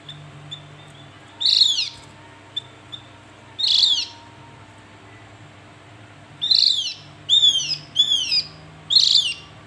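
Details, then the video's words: Javan grey-throated white-eye giving two widely spaced harsh falling calls, then a rapid cluster of four in quick succession; faint ticks and a low hum in the background. "Panggilan burung Opior Jawa"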